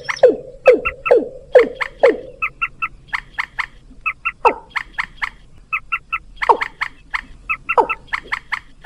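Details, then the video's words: Lure recording of rails mixed with watercock, used to attract birds: loud downward-swooping notes alternate with quick, nasal paired or tripled honks, repeated briskly about twice a second. "suara pikat burung mandar"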